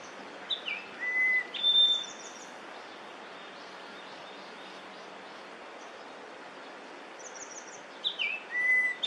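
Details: Singing yellow-billed grosbeak, Korean summer migrant, early May 2024: two well-separated bursts of sweet, high whistles with quick slurred and level notes, quieter and more distant, over a steady hiss of background noise.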